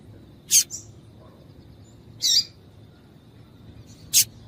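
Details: Female papa-capim (Double-collared Seedeater) call used to warm up males for singing: three brief, bright, high-pitched chirps spaced roughly one and a half to two seconds apart, with a faint steady tone and soft low hum behind.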